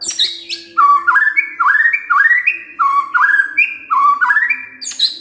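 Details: Provoking lure song of a white-rumped shama: a run of bright whistled upslurs stepping higher, repeated roughly every half second, with a high chattering burst at the start and end.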